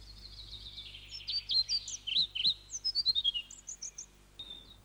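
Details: Pied flycatcher song recorded by a farmer-turned-wildlife recordist near Exeter, Devon, around 1963: a quick, high phrase of sweet, jerky notes rising and falling, ending in a short run of thin repeated notes; faint low hum.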